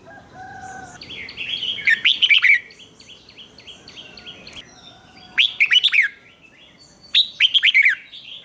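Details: Red-whiskered bulbul, doubled song played for birds to imitate. Three loud, tumbling phrases of bright whistled notes arrive roughly every two to three seconds, with softer warbling from other birds in between.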